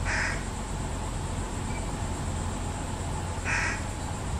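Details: Two brief nasal calls from fish crows, an only fledgling being fed by its parents, one at the start and one about three seconds later, against steady low-pitched background noise.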